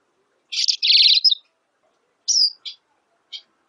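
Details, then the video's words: High, buzzy Black siskin trill: a rapid rattling series of notes, then a sharp falling whistle and two short separate chips, all in a quiet setting. "Negrillo Boliviano! Llamado! Sonido! Cantando! - Black Siskin Song - Spinus Atratus"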